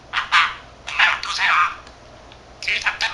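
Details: A male budgerigar, 13 months old and kept as a pet, babbles to himself in imitated speech, with loud, throaty, word-like phrases that rise and fall, followed by a pause and then a quicker burst of chatter.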